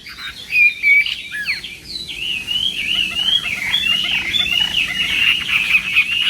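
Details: Chinese hwamei singing in the morning during voice training, in the Vietnamese contest-singing style: a continuous rambling warble of thin whistled notes, wavering and sliding, with two louder bursts near the start over faint background hiss.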